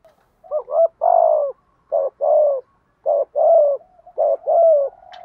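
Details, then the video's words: Spotted dove cooing in the 'kích bổi' style meant to stir a decoy bird, with a 'giọng thổ' voice: a run of deep, mellow, slightly falling coos in close pairs and groups, loud and clean against a quiet background. "tieng chim cu gay kich boi"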